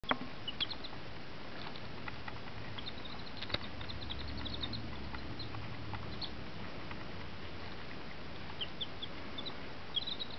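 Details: Three-day-old tame chicks, hatched in an incubator, giving scattered short high peeps, thin and slightly rising, in small bursts over a steady low background hum with occasional soft knocks.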